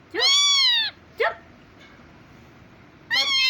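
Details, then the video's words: Pet parrot talking like a human, here giving two drawn-out, harmonic meow-like calls with a short squeak between them, then a pause before a third meow begins; indoors, otherwise quiet. "my parrot talking like a human"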